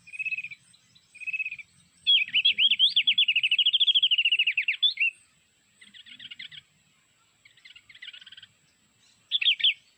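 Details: Mountain white-eye from Sulawesi, call played from MP3 as a trapping lure with bird lime: short high buzzy bursts, then a long rapid trilling warble, followed by scattered softer chirps and a final burst.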